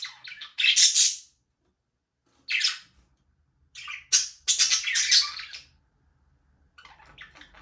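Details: Several budgies in a small aviary, flying free, give bursts of harsh, squawky chirps, each lasting about half a second to a second, separated by short silences; no music.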